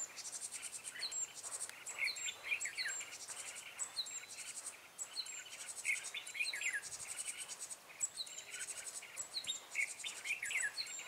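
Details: Red-whiskered bulbul lure bird in a trapping setup on 14 March 2017, giving clusters of rich whistled notes and rising-falling chirps every couple of seconds amid dense insect buzzing and pulsing crickets.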